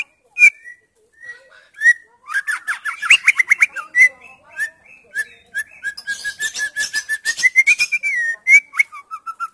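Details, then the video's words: White-rumped shama female song for prompting mute males to sing; a few separate whistles open into a fast, steady rattle of short whistled notes, with sweet slurred whistles at the close. "MURAI BATU BETINA GACOR"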